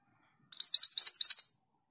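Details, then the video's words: Energetic singing from a female mantenan bird: a clean run of about eight high, whistled chirps delivered quickly and evenly, followed by silence. "Burung mantenan betina gacor"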